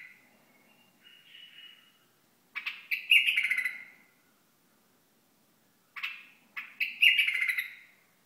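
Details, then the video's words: Hasawi bulbul from Al-Ahsa giving two bursts about four seconds apart. Each starts with sharp clipped notes and runs into a loud, harsh, chattering phrase that fades downward. A soft thin note comes earlier. "بلبل حساوي"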